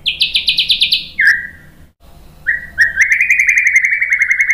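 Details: Song of a white-rumped shama, played to goad other birds into answering: a high rapid trill stepping down into a lower buzzy note, a short pause, then a steady stream of quick repeated mid-pitched notes.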